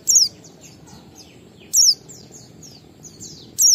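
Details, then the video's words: Oriental white-eye in ngalas pattern, a lure to get captive birds singing: three loud, very high whistled notes, each swooping downward with a slight wobble, spaced roughly every 1.7 seconds, with faint softer chirps between. "Pleci Ngalas 12345 AMPUH memancing Pleci bahan omyokan Cepat buka paruh"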